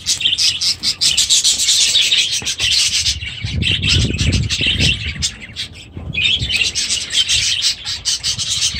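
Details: Budgerigars with chicks in their aviaries chatter loudly in a dense stream of chirps and squawks, with a brief lower rustling in the middle.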